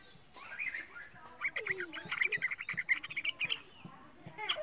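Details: Young pet yellow-vented bulbul, a keen singer used to lure other bulbuls into song: a busy, jumbled chatter of quick bright notes building to a dense burst and then trailing off, with faint background murmurs.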